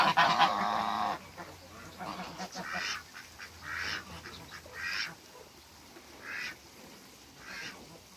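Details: A pair of African geese meeting at a waterbird farm. A loud, harsh burst of honking opens, then shorter nasal honks follow at roughly one-second intervals, some spaced wider, against a quiet background.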